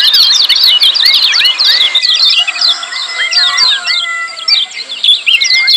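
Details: Dense twittering 'ciak' calls of lemon-bellied white-eyes, training audio to make silent birds sing: high rapid chirps layered over repeated gliding whistles, the chatter thinning briefly midway.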